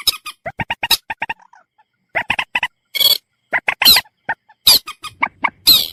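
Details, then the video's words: Common moorhen giving quick runs of clipped, nasal clucking notes, a pause, then further clucks mixed with loud rasping shrieks toward the end. "suara burung mandar batu"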